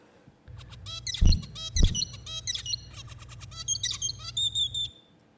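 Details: Captive lab zebra finches, a father and his adult son who learned his song from him, co-sing in rapid turn-taking with little overlap, so buzzy harmonic notes and sharp high chips run together as one performance over a low steady hum.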